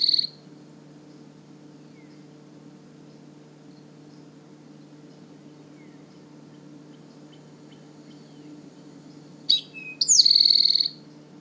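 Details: A male Eastern Towhee sings at a forest edge by a powerline corridor, Manchester Cedar Swamp Preserve, New Hampshire, after arriving in late April. It gives one loud three-part "drink-your-tea" phrase: two sharp notes, then a ringing high trill, over a low hum.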